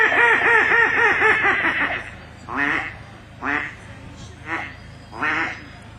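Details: Many Mallards coming down a tidal channel at first light, as the tide fills the gutters, give a quick run of about eight nasal quacks, then four harsh single quacks about a second apart, over a low steady rumble.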